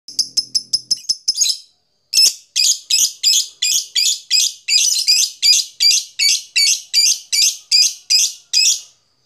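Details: Lovebird giving ngekek, a long chatter, used as a lure to set other lovebirds chattering: a fast run of short sharp high notes, then steady bursts of about three per second, each a harsh buzzy chirp.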